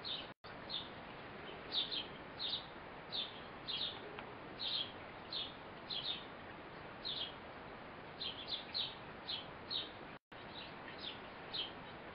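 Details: A fledgling Eurasian blue tit is fed by its mother. Dense clusters of quick, high, squeaky chirps arrive several per second in bursts, with two brief dropouts, over light hiss.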